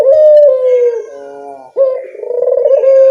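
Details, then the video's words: Local barbary dove lure coo for eliciting replies: a drawn-out low tone drifting downward, a short break, then a sharp rise into a vibrating, rolled coo held steady. "Suara pancingan burung puter lokal sangat mudah nyaut"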